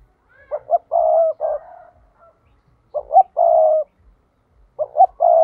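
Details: Three low phrases from a spotted dove decoy, a 'thúc' call used to attract wild doves into traps: each has two short hooting notes and a long rough coo, repeated roughly every two seconds.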